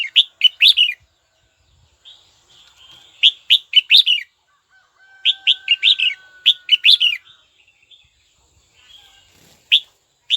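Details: Red-whiskered bulbul calling a rival, kept for song training: bursts of bright, bubbly warbled notes in quick clusters with short pauses, plus a long, steady, thin tone held in the middle.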